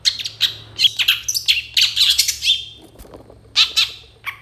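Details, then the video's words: Long-tailed shrike singing a full, mimicry-packed training song: harsh, buzzy bursts and scratchy chatter in quick irregular runs, with a brief pause before more rasping notes. "MASTERAN CENDET FULL ISIAN ❗️ MASTERAN CENDET GACOR"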